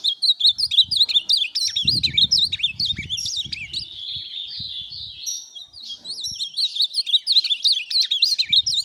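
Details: Tournament-kept Ultramarine grosbeak giving a hurried, chattering song of repeated high slurred notes. A smoother, sustained stretch comes midway before the fast twitter resumes. Low rumbling thumps are heard early on.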